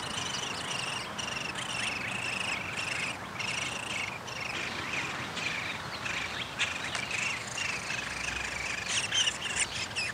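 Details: Downy woodpecker nest with feeding activity, 20 May 2021: busy repeated squeaky, buzzing chatter in uneven clusters, interrupted by brief pauses and a few sharper notes near the end, under soft hiss.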